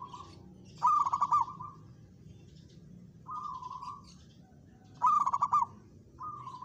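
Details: Zebra dove, a local bird, challenging a rival and joining in the calling. Loud, rapidly pulsed coo bursts alternate with quieter, smooth, sustained low trills in a repeating cycle.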